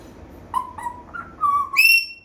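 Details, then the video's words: African grey parrot making different sounds: a run of clear whistled notes, short and level at first, then a longer gliding tone, ending in a higher, strong sustained whistle. "parrots#making different sounds # gray african"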